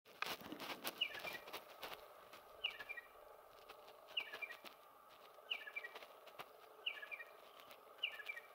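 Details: A territorial male striated pardalote calling non-stop, repeating a short, high double note about every one and a half seconds, over a steady rustling, pattering background.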